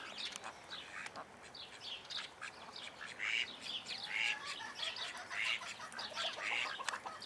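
Young call ducks keep up a busy, irregular chatter of high, thin peeps and short squeaky notes, several birds calling over one another.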